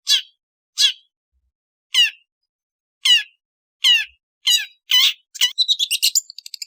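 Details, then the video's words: Long-tailed shrike giving harsh, descending squawks spaced about one second apart, which then speed up into a quick, squeaky chatter at the end. "เสียงนกอีเสือหัวดำ Lanius schash"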